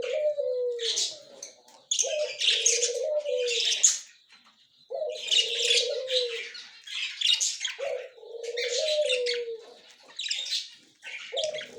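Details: Budgerigar pair, white male and yellow-green female, October 30, 2024: bursts of harsh high chattering squawks alternating with low, drawn-out hooting tones, repeated in cycles every few seconds.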